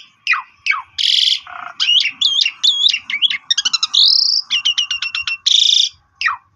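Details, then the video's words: Pied myna (jalak suren) in full-filler lure song: downslurred whistles, a buzzy blast, looping warbled whistles, a fast ticking series, a rising whistle and a final rasping buzz. "Suara Emas Super Panjang Cocok Buat Pancingan Semua Burung Pasti Nyaut (Jalak Uren Gacor Full Isian)"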